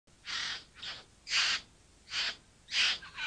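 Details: Bowerbird giving a series of five harsh, hissing, rasping bursts spaced about half a second apart, each loud and breathy, with a quieter crackling note at the end.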